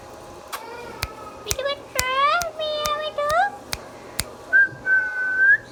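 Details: Pet Indian ringneck parrot indoors producing a run of harmonic, voice-like talking notes between regular sharp clicks, followed by two rising whistles.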